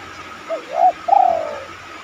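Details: Lure recording of a spotted dove's cooing phrase meant to make other doves respond: a soft brief opening note, a louder rounded coo, then a drawn-out throbbing note sliding lower and fading, over a quiet background.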